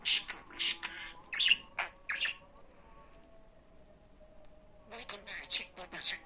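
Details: A pet budgerigar speaks Turkish phrases including "iyi günler". A cluster of sharp chirps and scratchy syllables is followed by about three seconds of near silence with a faint steady hum, then renewed chattering bursts.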